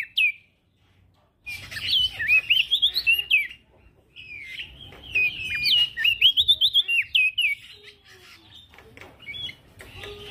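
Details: Male prinia singing actively, used as a training recording for crested white-eyes: a fast run of bright, warbling whistled notes that rise and fall, with one brief note before a short silence.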